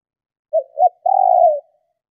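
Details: Cooing female spotted dove, calling to stimulate males: a quick soft note, a second clipped note, then one prolonged, even, buzzy-edged coo ending in a gentle fade, in quiet surroundings.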